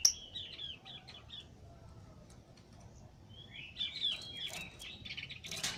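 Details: A lovebird calling as it pleases: a short burst of squeaky, buzzy chirps, then a pause with low hum, then a louder rasping, twittering outburst with a harsh noisy note near the end.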